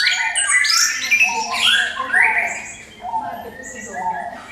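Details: Orange-headed thrush singing a lure song to provoke other birds: crowded, overlapping whistled phrases and rapid chatter, loud at first and softening toward the end.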